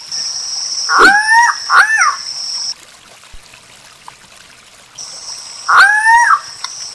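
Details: Guianan cock-of-the-rock singing a lot: a pair of loud nasal squawks in quick succession, a pause, then a third squawk, alongside intermittent shrill insect buzzing.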